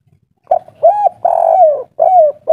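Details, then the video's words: Brief snatch of a local spotted dove's kuk 3 song, mature voice: a few hollow coos, one long drawn-out note sliding gently downward between shorter clipped ones. "Derkuku kuk 3 lokal gacor ngamuk suara tua"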